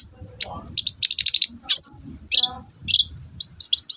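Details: Long-tailed shrike song used as a lure to stir a reluctant caged bird into singing: rapid clusters of sharp high chattering notes and short trills, broken by brief gaps, with faint low voices underneath.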